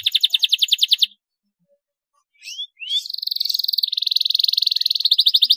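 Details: Canary song for prompting other birds to sing: a quick rattling trill, a pause, two rising whistled slurs, then a sustained buzzy trill with rapid pulses.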